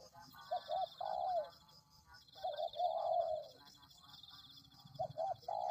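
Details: Spotted dove (tekukur) lure recording: three phrases of low cooing, each two short rounded hoots followed by a longer drawn-out falling coo, about two seconds apart, over a steady high insect-like whine.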